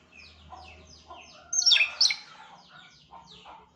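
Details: African grey parrot starting to chirp: a quiet run of short descending chirps, then two loud harsh bursts near the middle, followed by softer chirps and low murmuring notes.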